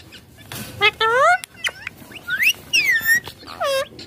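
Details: Rose-ringed parakeet talking while playing on a mobile phone: a run of bright, harmonic chirps and whistled syllables sliding up and down, spaced by short pauses, with faint room noise between them.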